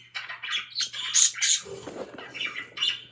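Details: Pet budgerigars singing and playing: busy, scratchy chirps and squawky notes in quick uneven bursts, with a few brighter, sharper chips near the middle and a faint steady hum underneath.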